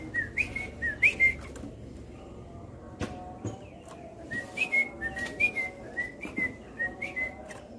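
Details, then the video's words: Captive cream-vented bulbul set outside on the morning of 31 July 2021, giving short, clear whistled notes in two lively bursts, several notes a second, over a soft steady background hiss. "suara trucukan ropel yang menyenangkan hati"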